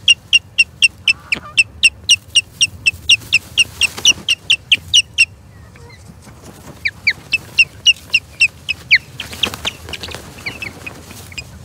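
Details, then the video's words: Agitated osprey at the Charlo Osprey Nest on 21 April 2022, skirmishing with an intruding third osprey: a rapid, steady string of shrill whistled chirps, about four per second, pausing briefly, then resuming more raggedly amid rustling. "Skirmishes with a 3rd Osprey"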